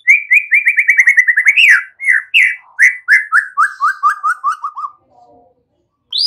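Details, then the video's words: White-rumped shama song used to train young birds to sing: a long series of whistled notes, fast at first, then slower and dropping step by step in pitch, ending with a high note. "Pancingan murai BAKALAN Agar ikutan NGEPLONG GACOR dengan CEPAT"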